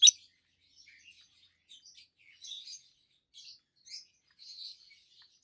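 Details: Two healthy adult peach-faced lovebirds, both green, one red-faced and one yellowish white-faced, kept as pets, give scattered high thin chirps, one sharp loud note opening and softer twittering bursts following.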